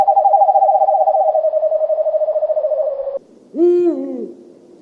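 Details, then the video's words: Fast, even trill from an owl that holds one pitch and slowly drops a little over three seconds. It breaks off abruptly, and after a brief pause a single rich, drawn-out hoot slides downward. "suara burung hantu"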